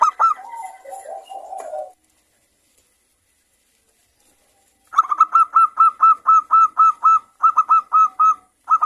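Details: Zebra dove of local stock calling in the morning: a short opening flurry and low coos, silence, then a long, steady string of about fifteen crisp, evenly repeated coo notes.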